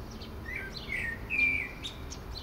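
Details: Common blackbird singing from a favourite Port Orford cedar, shared with a dove: short fluted whistled phrases around a steady mid pitch, each trailing into thin, higher twittering notes, over faint low background rumble.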